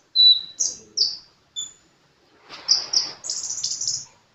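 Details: Sunbird (kolibri) singing actively, with a steady high whistle, a few sharp chirps and a thin squeak, then after a pause a fast, scratchy run of shrill notes.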